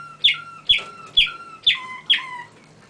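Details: A songbird singing five repeated phrases about half a second apart. Each opens with a sharp high note and trails into a clear, level whistle that drops lower in the last two phrases.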